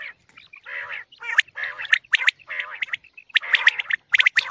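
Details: Common quail calls used for morning hunting: harsh, buzzy bursts around mid pitch in clustered phrases, with sharp clicks between them, broken by short pauses.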